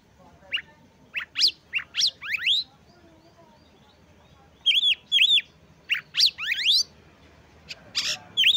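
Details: Gacor song of an Oriental magpie-robin, used to rouse rival magpie-robins' emotion and breeding drive so they start singing. Scattered rising whistled sweeps and paired chevron notes come in separate clusters, with pauses between groups and a soft low rumble beneath.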